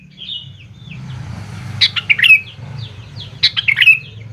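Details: Sooty-headed bulbul song used as a lure to get young birds to answer; two bursts of bright, bubbly chirping phrases, quick descending notes, with fainter twitters between and a low hum underneath.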